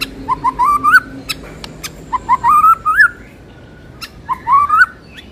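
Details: Murai batu, or white-rumped shama, used as a lure for training: three similar phrases of stepped whistled notes climbing in pitch to a loud slurred flourish, each phrase about a second long with short gaps between.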